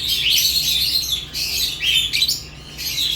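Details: Lovebirds give steady high, grating chatter with rising squeaky notes, broken by short pauses roughly every half second, over a constant low hum.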